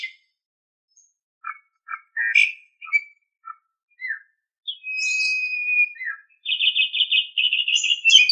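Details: Asian pied starling song from a bird-training recording: scattered short whistled and chirped notes, then a long sustained whistle and a run of rapid, warbling, buzzy phrases rising to high squeaks, against a silent background.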